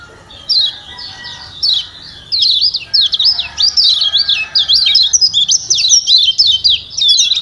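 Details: Yellow white-eye of Lombok in a stimulating call sequence meant to make a reluctant bird sing: a few spaced high chirps building into a rapid, continuous chatter of twittering, zigzagging notes.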